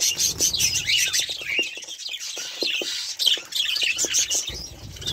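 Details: Budgerigars warble and chirp in high, tumbling phrases. A brief quieter gap comes midway before the chatter resumes.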